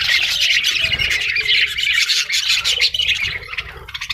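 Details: Parrot chatter in a continuous stream of rapid, scratchy, high-pitched squawks and chirps, overlapping throughout with no pauses.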